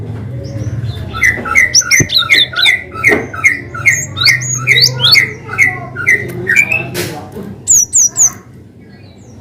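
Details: Cinereous tit in lively full song, a long-whistle variation meant to prompt reluctant birds to sing: paired whistled notes repeated steadily near mid pitch, broken by higher sliding notes and a final burst of sharp high chirps.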